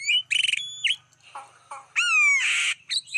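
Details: Black-winged starling sound used as a lure for wild birds: a short burst of buzzy notes, a downslurred whistle, then a loud rising whistle and a harsh rasping squawk.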